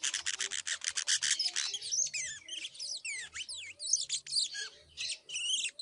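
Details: Young canary chick practising its first songs and trills: a rapid series of buzzy pulses, then a tumbling run of sharp sweeping whistles and chirps, loud and continuous.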